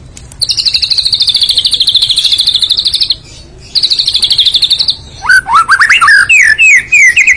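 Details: White-rumped shama (murai batu) in full isian song: a long, steady, rapid trill of high notes, a short pause, a second trill, then quick rising and falling whistled phrases.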